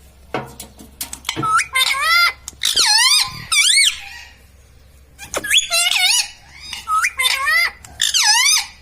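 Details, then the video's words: Talking pet parrot, a green ringneck, saying word-like phrases indoors: repeated groups of loud, wavering harmonic syllables, a brief quiet gap, then another run of similar mimicked words. "Talking parrot - Mitthu mitthu - Mummy Bolne Wala Tota"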